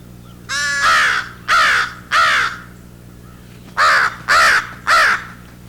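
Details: Two young American crows fly in and beg for food with nasal versions of adult calls: six harsh, nasal caws in two groups of three, each about half a second with roughly one-second pauses; spring, backyard edge of woods.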